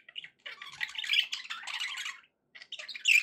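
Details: Budgies, said to be happy, run through a long raspy warbling phrase, fall silent briefly, then return with loud squeaky chirps.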